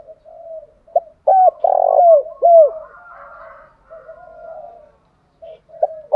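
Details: Spotted dove lure recording of male and female birds in the styles called thúc gù and gáy gọi, used to stir trained decoy doves. Soft low murmurs, then three loud, deep, bowed coos in mid-clip, with brief coos at the end.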